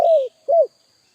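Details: Spotted dove call fragment used as a lure for answering doves: the tail of a long rolling coo gliding down, a brief pause, then a short arched closing coo; faint high steady whine.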